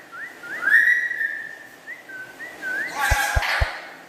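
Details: Captive black-capped lory chattering: a series of clear, looping whistled notes rising and falling, one held longer, followed by a burst of rough noise and three sharp taps.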